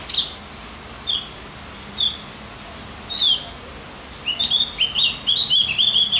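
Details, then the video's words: Javan grey-throated white-eye singing to stimulate other birds: four separate high chirps spaced about a second apart, then a fast tumbling run of bright, slurred twittering notes. "Masteran buat burung OPIOR JAWA agar tambah emosi"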